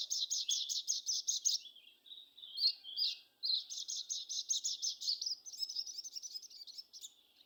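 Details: Sogon song played to prompt a caged bird to sing: high, chattering, buzzy notes in rapid repeated bursts, broken by brief warbled twists, then a second long rattling run that trails off.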